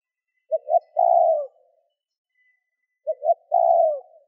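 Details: Spotted dove cooing to provoke wild doves, two matching phrases about two and a half seconds apart, each two soft clipped notes leading into a long hoarse coo; otherwise quiet.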